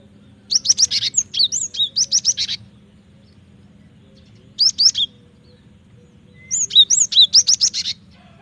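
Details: Cinereous tit singing strongly, used to lure and tutor birds: a long rapid series of high, bright chirps, a short three-note burst, then another fast run of sharp repeated notes; faint low hum throughout.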